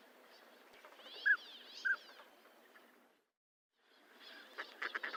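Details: Two clear, short whistles from a northern pintail, followed by a brief silence and then a burst of soft clicking and rustling sounds.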